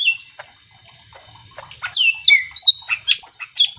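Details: Chatty greater green leafbird song meant to provoke other leafbirds into answering; quiet scattered notes first, then loud whistled slurs and rising-falling phrases from about two seconds on.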